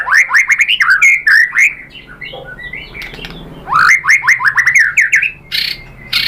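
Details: White-rumped shama song used as a lure for other shamas: quick series of upswept whistles, a quieter patch of softer notes, then another run of rising whistles ending in a few sharp clicks.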